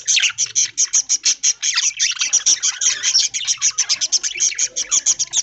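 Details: Budgerigars in an aviary during early-morning feeding on corn in green leaves, a loud, rhythmic stream of high, sharp chirps and trills from many birds, pulsing quickly and without a break.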